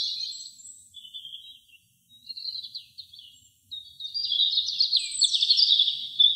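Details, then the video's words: American robin singing short, warbled, high phrases separated by brief pauses, ending in a louder, busier run of squeaky notes; nothing else is heard. "AMERICAN ROBIN SINGING"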